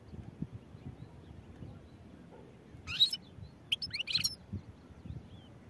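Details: European goldfinch giving two brief clusters of high twittering chips, one short and one a little longer, over a low background rumble.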